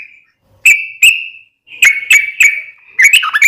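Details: Yellow-vented bulbul lure song for prompting captive bulbuls to respond: a few drawn-out clear whistles separated by sharp clicks, ending in a quick burst of chattering notes.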